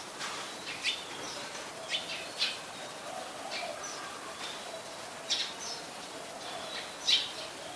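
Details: In Ubon Ratchathani, Thailand, on 14 January 2021, a Malaysian pied fantail gives a string of brief, bright, high-pitched chirps spaced irregularly every second or so, some doubled, with faint low tones and steady hiss behind.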